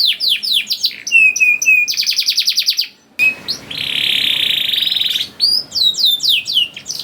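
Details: Young canary song meant to draw other canaries into singing: quick descending whistles, a fast trilled run, a brief gap, then a long harsh buzzy roll followed by sharp sweeping notes.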